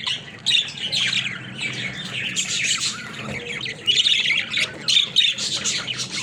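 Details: Budgerigars playing in a cage, several birds chattering at once with rapid buzzy warbles, chirps and scratchy squawks, bursts swelling around the middle and again toward the end above a faint low hum.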